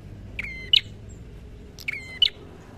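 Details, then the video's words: Red-headed prinia song in 'gacor tarung' fighting style: a pair of matching phrases, each a brief overtone-rich whistle then a sharp high note, repeated after roughly 1.5 seconds against quiet low hum. "Prenjak Kepala Merah Gacor Tarung"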